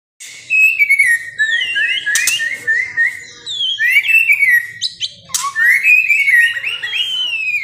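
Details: White-rumped shama in heightened breeding condition, kept in a breeding cage where male and female birds are being paired; loud, varied whistled song of rich sliding phrases and rapid trills, with sharp high notes, continuous with brief pauses.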